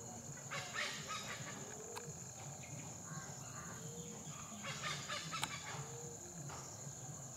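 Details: Black hornbill flying back and forth at low level: two bursts of harsh, cackling, chicken-like notes, one near the start and one after a pause, over a steady high insect drone and soft forest background.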